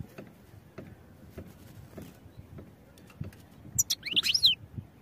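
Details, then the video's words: Training song of a European goldfinch: soft low thumps repeat at first, then a lively burst of high chirps and tumbling downward slurs closes the passage. "Goldfinch Songs for Training"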